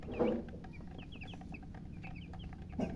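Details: Newly hatched chicken chicks give scattered high, short downslurred peeps over a low background hum, with a soft thump near the start and another near the end.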